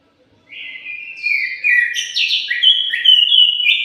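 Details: Morning song of an orange-headed thrush: a continuous, tumbling string of clear whistles and warbles that shift quickly up and down and grow louder as it goes.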